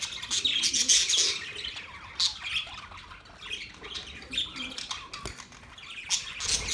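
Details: Budgie flock chatter: rapid high squawks and warbles, louder bursts early and near the end, a quieter patch of scattered chirps in the middle.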